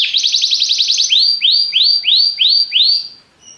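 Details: Yellow Belgian canary gives quick repeated notes and then a measured series of upswept whistles, each about half a second apart, fading out at the end.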